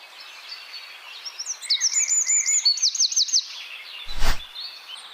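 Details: Wren song in the rapid-fire 'tembakan' style, used to train songbirds: a high, fast stuttering trill run of repeated notes lasting nearly two seconds, then a sharp loud click near the end over faint background hiss.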